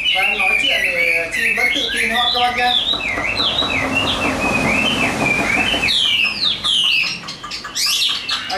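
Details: Chinese hwamei offered for sale, pouring out looping whistled phrases. A rushing, noisy stretch in the middle partly masks the song, then loud sweeping notes return.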